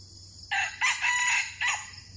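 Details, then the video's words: Crow of a red junglefowl at a decoy lure, where two birds were trapped after a fierce fight. Loud, rough and broken into four bursts, the third held longest before a quick final note, with steady insect buzz behind. "Ayam Hutan Pikat"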